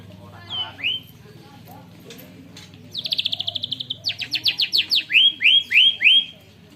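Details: Caged white-rumped shama, or murai batu, trained with canary-style song, delivering a long rolling phrase: a buzzy trill, then rapid repeated notes and loud descending whistled slurs, recorded on a phone.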